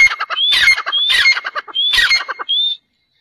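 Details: Sindhi black francolin, a 'speeder' type: loud, harsh rasping bursts broken by clear rising whistled notes, four phrases in under three seconds, then silence.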